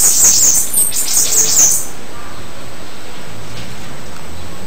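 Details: A single short Bananaquit song, a quick high-pitched spray of hissing, buzzy notes lasting under two seconds before falling silent.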